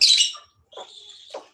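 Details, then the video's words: A pet lovebird, a mother bird with clipped wings kept alongside budgerigars, screaming and making a lot of noise: a harsh, high screech, then two thin, buzzy squawks with a steady high whistle-like tone between them. "আর এদিকে লাভ বার্ডটা প্রচুর চেচামেচি করছে। এদিকে চিৎকার করছে।"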